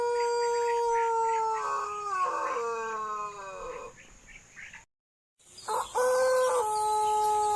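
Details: White Pelung chicken crowing: long harmonic notes broken by several throaty pulses that step slightly downward, fading off. A brief silence follows, then another strong crow with pulsing breaks, over background hiss.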